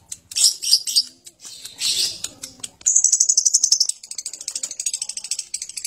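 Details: Lovebird in ngekek style, harsh and long: a few sharp high chirps and a burst of noisy squeaks, then a fast, steady, high-pitched chatter of rapid repeated notes running from about three seconds to the end.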